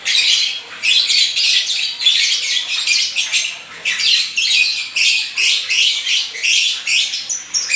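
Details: Caged lovebird singing: a continuous run of harsh, high, buzzy chattering squawks in quick rhythmic bursts, rising and falling in loudness about every half second, with no other sounds.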